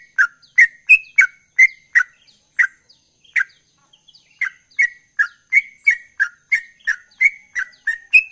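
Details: Sooty-headed bulbul, locally trucukan, singing in full voice: short bright chirped notes around the mid range, each with a high overtone, repeated about once a second with a brief pause midway.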